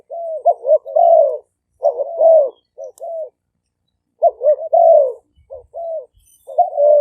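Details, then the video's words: Two decoy spotted doves, Malay and 'phat phon' strains, occasionally calling in chorus, recorded live at several sites in Roi Et, Thailand. Dense groups of low, hollow coos come in quick succession with short pauses between the phrases. "เสียงนกเขาใหญ่ คารม ปะทะ คารม"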